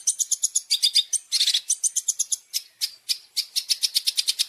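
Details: Long-tailed shrike masteran full of champion isian: rapid high chips in even series, broken by harsh buzzes and short pauses, then a fast row of sharp ticks.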